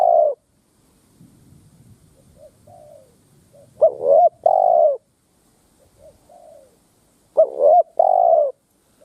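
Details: Ground lure Spotted dove cooing to goad wild doves to fight: loud stuttered coo phrases recur about every three and a half seconds, each followed by quieter, softer coos from a more distant dove.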